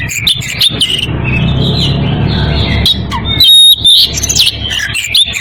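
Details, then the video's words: Oriental magpie-robin in breeding condition calling to a rival. Scattered chips and soft whistles over a rumbling background build to a loud burst of bright whistles near the end. "Kacer birahi memanggil lawan"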